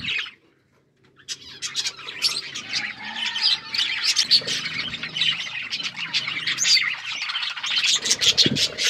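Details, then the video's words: Several budgerigars chirping while eating seeds: a continuous, dense chatter of rapid, buzzy chirps and squawks fills nearly the whole stretch after a brief quiet start. "Beautiful budgies parrot chirping sounds and eating seeds"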